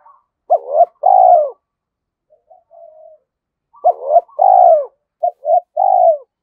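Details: A decoy spotted dove used to lure and challenge wild males repeats its throaty coo: short note, upturned note, long falling burr. Quiet murmured notes come between phrases, and the last phrase starts with extra stuttered notes.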